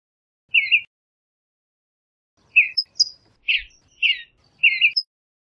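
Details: Western bluebird giving one soft chirp, a pause, then a quick run of four or five varied chirps and brief high squeaky notes. The background is silent.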